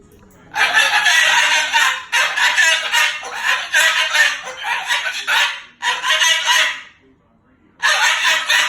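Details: Moluccan cockatoo, angry at its owner's overnight stay and cursing. Loud, harsh, raspy bursts of talking-like chatter in about four spells, separated by short silences.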